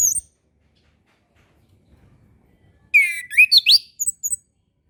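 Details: Orange-headed thrush master song for young birds learning to sing: a short high note, a quiet pause, then a lively rush of rising whistled phrases and a few thin high chirps.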